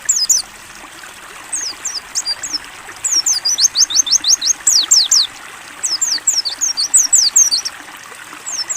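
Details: White-eye (pleci) singing clear 'ngalas buka paruh' song for training: almost continuous strings of sharp, very high whistled notes, swooping down and up, broken by short pauses, over a soft bed of flowing water.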